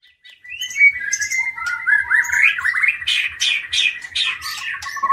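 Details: Long-tailed caged Aceh white-rumped shama, a breeding bird from Indonesia, delivers loud, varied song: a sustained whistled note sliding upward, then a run of rapid buzzy, rising trills, over a faint steady low ticking.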